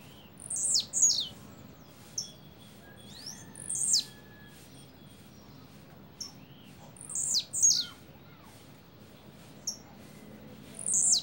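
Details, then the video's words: Repeated double songs of a blue-black grassquit: paired high, thin, downward-sweeping buzzy notes recurring every few seconds, with occasional single short notes between. "Tiziu canto duplo"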